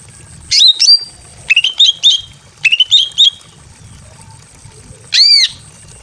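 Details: Greater green leafbird female in breeding condition, calling to a male from a simple aviary cage: sharp, bright chattering phrases in short bursts about a second apart, ending in a harsh rasping note; faint background hum.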